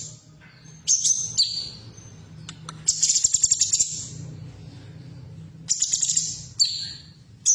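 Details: Female cucak cungkok bulbul, recorded as a stimulus for caged birds: scattered high buzzy calls and sharp falling notes, a rapid pulsed rattle in the middle, with clicks and a steady low hum.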